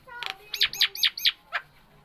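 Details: Nias hill myna, a kept bird, uttering four quick bright chirping notes in a row, followed by a single harsher note.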